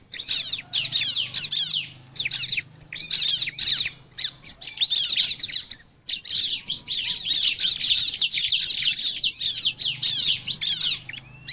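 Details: Bar-winged prinia in energetic full song, used as a lure for other prinias: long runs of dense, high, scratchy chirps and trills with brief breaks, plus a faint low hum underneath.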